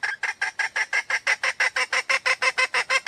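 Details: A wild female red junglefowl gives a fast, steady run of harsh, nasal clucks, several each second, with no other sounds.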